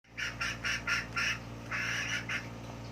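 A chicken gives five quick, nasal squawks in a row, then a longer drawn-out note and one last short squawk, over a low steady hum.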